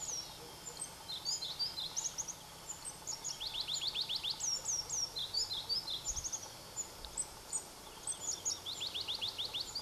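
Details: Pallas's leaf warblers, two different birds, sing near Erdenebulgan, Khovsgol Aimag, Mongolia, July 2009: high, sharp chips and whistles broken by fast rattling trills, recurring every couple of seconds, over a faint steady hum.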